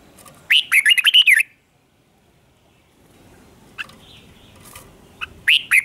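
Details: Red-whiskered bulbul in morning singing practice: a one-second burst of rippling, wavering whistles, a long silent stretch with soft background hiss, then a few more fluty notes near the end.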